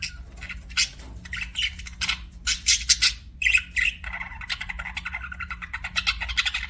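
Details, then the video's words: Budgerigars chirping in a dense, busy stream of short scratchy chirps and warbled squawks, with bursts clustered tightly and a softer, faster chatter running on near the end over a faint low hum. "BUDGIES CHIRPING SOUND"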